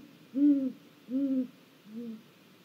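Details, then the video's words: Great gray owl at a snag, filmed by a live camera in Mission Valley on 1 April 2022, giving three deep, soft hoots that grow fainter, the last noticeably quieter. "Great Gray Owl"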